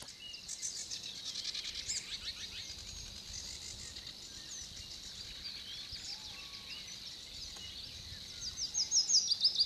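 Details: Eurasian penduline tit building its nest at a retention reservoir in Żelizna, between 19 April and 3 May 2020; a steady wash of high chirps from other birds, then a burst of thin, loud, descending whistled notes near the end.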